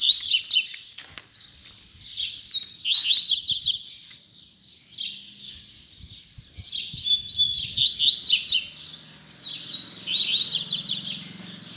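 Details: During the year's last puxada of 2019, a coleiro (Double-collared Seedeater) repeats several bursts of fast, high, stuttering notes with short gaps between them, plus a faint low hum.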